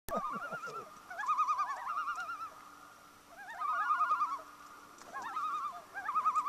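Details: At dusk on Dollars Lake, Ontario, several loons give wavering, quavering tremolo calls that overlap in bursts, separated by brief pauses, over a faint low steady hum.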